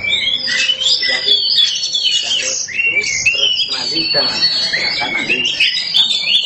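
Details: Black kacer, an Oriental magpie-robin, singing loudly and continuously: dense high whistles, warbles and chattering phrases packed together, with rapid rising and falling notes throughout and faint background noise.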